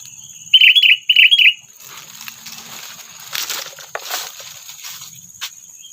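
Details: Sooty-headed bulbul call used as a trapping lure to provoke predators: two loud, bubbly chirping bursts in quick succession, followed by rustling, flapping-like noise and scattered soft clicks.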